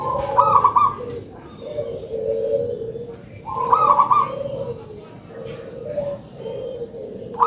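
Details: Local zebra dove in full song, described as having a big voice: rapid high rolling trill followed by a run of low purring coos, repeated twice, with faint chirps from other birds in the background.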